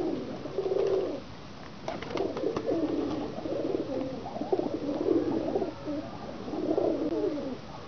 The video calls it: pigeons sound effect||Call of pigeons